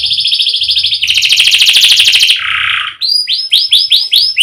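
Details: Canary singing a sequence of buzzy rolled tours at different pitches, first high, then louder and pulsing, then a lower buzz, ending with a series of evenly repeated rising whistles.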